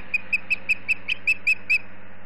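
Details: Osprey at a nest in Charlo, Montana, late in the day before sundown: a run of nine short, high whistled chirps, evenly spaced about a fifth of a second apart, over a faint low hum.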